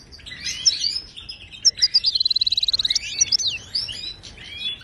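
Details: Song of a Moroccan goldfinch for training silent caged birds: scratchy twitters, then a rapid, evenly pulsed trill of about twenty notes, followed by more chattering phrases.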